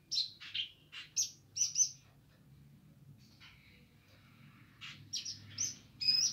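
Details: Streaked spiderhunter, described as gacor nganar: a quick series of high chirps, a quieter stretch with a thin sustained whistle, then more bright, sharp notes, over a low steady hum.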